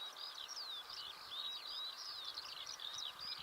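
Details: Eurasian skylark song on a June morning in Belarus: a rapid, unbroken stream of high twittering and warbling notes with short slurred whistles, over faint background hiss.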